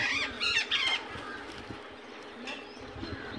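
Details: Indian ringneck parakeet, heard in its natural voice, gives three quick grating squawks within the first second before fading into low background hiss with faint distant notes.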